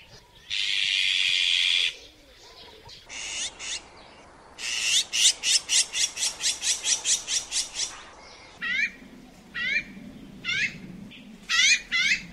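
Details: Eurasian magpie calling: a harsh noisy burst, then a rapid run of about a dozen rasping, clipped notes at roughly three per second, followed by scattered shorter chattering notes.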